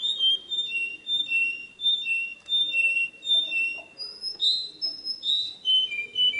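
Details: Canary song for training young birds: varied whistled phrases, long and short notes alternating between two pitches, ending with rising and falling bright warbles.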